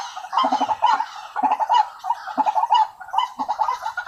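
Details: White-breasted waterhen calls played as a lure to draw in waterhens: harsh, croaking double and triple notes with a nasal ring, repeated in uneven bursts about every half second.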